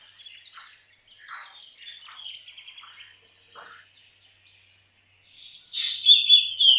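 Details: Black drongo giving soft, scratchy, murmured notes at first, then a sudden loud harsh burst followed by bright, sharp whistled phrases near the end.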